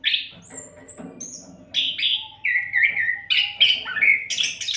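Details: Continuous kacer (Oriental magpie-robin) song for training songbirds; it opens with high thin slurred whistles, then gives long fluty notes sliding downward, ending in strident high bursts.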